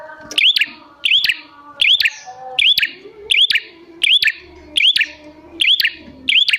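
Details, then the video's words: Energetic prinia calls used to provoke wild prinias: sharp, high chip-and-whistle phrases repeated about every 0.7 seconds, nine in a row, with quiet background murmur. "Pancingan Prenjak Gacor Jamin Prenjak Malas Bunyi Langsung Nyahut"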